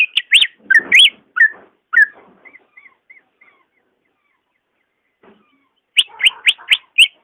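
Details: Greater green leafbird song for prompting a slow-singing caged bird: loud slurred whistles with some rougher notes, trailing into soft short whistles, a quiet gap, then another burst of bright rising whistles.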